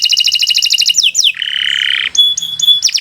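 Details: Canary, Kenari Nusantara, in training song: quick pulsed trill, a few sliding slurred notes, a harsh buzzy rattle, then clear high ringing whistles separated by short gaps.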